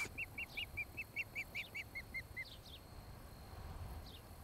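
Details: Osprey at a nest near Charlo, Montana, picked up by a nest camera on a July 2018 evening: a quick run of about eleven clear, whistled chirps, roughly two or three per second, ending in a few fainter high slurred notes.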